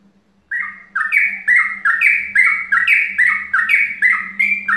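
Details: Trucukan, the yellow-vented bulbul, in mbandul ropel style for luring birds of the same kind: lively repeated chirpy couplets, each high then lower, roughly three per second, over a faint steady low hum.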